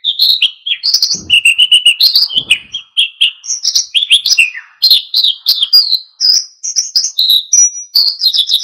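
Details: Oriental white-eye in full, vigorous wild-style song, played to provoke other birds into singing: a continuous rapid stream of high, varied twitters, slurs and short trills with no pauses.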